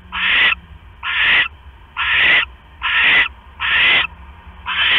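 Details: Nesting owls late at night on October 5, 2015: the male delivers a rat to the female sitting on eggs. Six rough, hissing screeches, each about half a second long, repeated roughly once a second.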